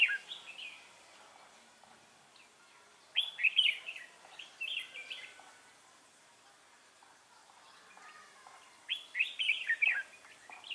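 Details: Red-whiskered bulbul, recorded at a trapping site on 3 November 2018, sings three bursts of quick, liquid warbled notes, separated by pauses of several seconds.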